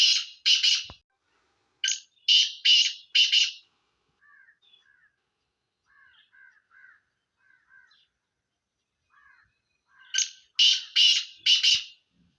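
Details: Two loud rasping call phrases of a Sindhi black francolin, each a run of harsh, grating notes, separated by a long gap filled with soft, faint chirping notes from a smaller bird.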